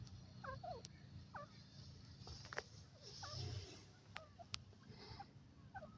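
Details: Grey francolin, known as Indian francolin or dakhni teetar, calling at home in India: short upward-sweeping notes repeated about every second, fairly faint over a low rumbling background with a few sharp clicks.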